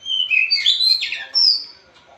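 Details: Loud, constantly singing blorok White-rumped shama, played to get a lazy shama singing: a flowing run of rich whistled slurs, dipping and rising, ending in a sharp high whistle.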